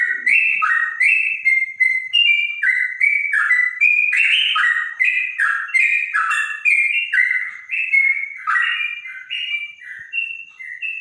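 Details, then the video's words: Clear-voiced bonang trotok whose song is compared to the straw-headed bulbul, pouring out a long, steady chain of fluty whistled phrases that alternate between higher and lower notes for over ten seconds. "Burung trotok bonang suara bening rasa cucak rowo"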